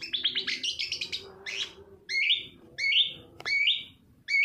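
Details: Long-tailed shrike song used as a lure to make silent or lazy shrikes start singing: a fast rattling chatter of high notes, then a buzzy rising phrase and three loud whistled notes that slur downward, each about 0.7 seconds apart.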